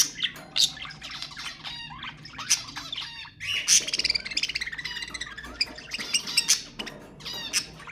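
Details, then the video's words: ['Budgerigars in mating-stimulation chatter: twittering chirps and squawks, then from the fourth second a sustained buzzy, rapidly pulsed warble over continuing busy background chirping.'] "تحفيز البادجي على التزاوج أقوى أصوات طيور البادجي للتحفيز"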